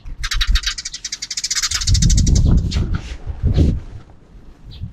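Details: Sparrows calling in the afternoon outside a camera's view: a rapid run of harsh, rhythmic chirps for about two seconds, then scattered notes, with loud low rumbling and handling noise underneath.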